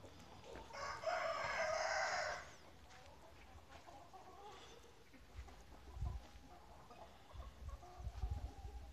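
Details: Farm chicken giving one loud, strained crow lasting about a second and a half, then quieter farmyard sounds with thumps, faint clucks and low background rumble.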